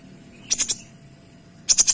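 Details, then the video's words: Kinoy giving two quick groups of three sharp, very high clipped notes, each group lasting a fraction of a second, separated by about a second of near silence with faint background hum. "Suara Kinoy Gacor Tembakan Rapat dan Jernih"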